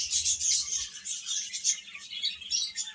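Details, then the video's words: A chorus of chicks gives shrill, piping chirps that run almost without pause and fade slightly toward the end. "Cute Chicks Chirping Sounds"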